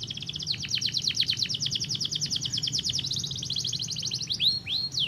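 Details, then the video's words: Canary singing to stimulate other canaries to sing: a long rapid rattling trill of descending strokes, changing to a higher rolling trill and ending with loud swooping whistles, over a low hum. "estimula muito rapidamente o som de um canário"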